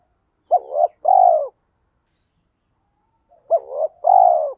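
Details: Spotted dove lure coos in the thổ pha thúc style, played so wild males answer: two clean, loud phrases about three seconds apart, each a quick hooked note then a broad falling croo, otherwise silent.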